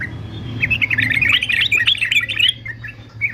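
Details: Yellow-vented bulbul, fighter male, used for singing training: a hurried, bright chatter of tumbling notes lasting about two seconds, then a few scattered chirps. A low hum is in the background.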